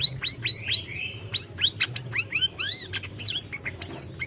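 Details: Orange-bellied leafbird in lively, varied song meant to coax a silent bird into singing: a continuous stream of rising whistled slurs, sharp chips and short buzzy notes, densely packed throughout.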